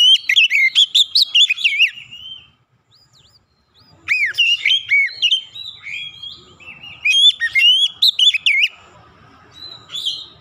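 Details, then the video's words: Lure song of an Oriental magpie-robin, used to get quiet birds singing. Bursts of bright whistles and rapid chattering notes pour out in phrases, with a near-silent gap before the rich, warbling song resumes. "kicauan jernih Kacer pemikat | KACER macet bunyi langsung ikutan gacor"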